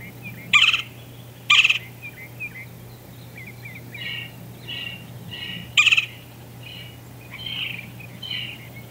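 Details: Golden-fronted woodpecker pair in Palo Duro Canyon, Texas, giving three loud, harsh, abrupt notes spaced a few seconds apart, with quieter scratchy chatters and short rolling notes between them over a low background hum.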